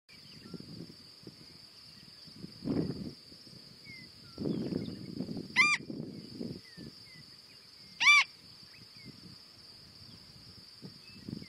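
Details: In western South Dakota in summer, a Marbled godwit (Limosa fedoa) gives two loud, nasal, harmonic calls about two and a half seconds apart, over a steady high insect drone and gusts of wind.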